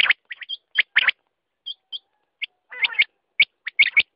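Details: Quail calls: scattered sharp chirps and isolated curled whistles with gaps between them, plus a short buzzy trill partway through.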